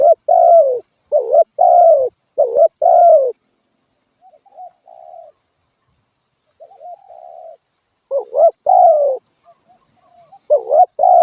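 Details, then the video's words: Spotted dove cooing in low, hollow, two- and three-note phrases, with loud bursts at the start and near the end and softer, muffled cooing in between; nothing else heard. "suab nquab lauj kaub tawg เสียงนกเขาใหย่"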